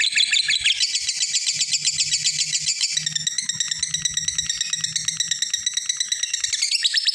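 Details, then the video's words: Long 'ngekek' chatter of a lovebird calling a rival: an unbroken, rapid, buzzy, high trill running for the whole seven seconds, with a faint low hum beneath. "suara Burung lovebird ngekek panjang manggil lawan"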